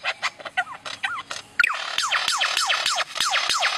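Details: Lyrebird of Australian forests imitating other birds: scattered short whistles and a slurred note, then a loud rapid series of about a dozen sharp descending whistled notes, roughly four per second.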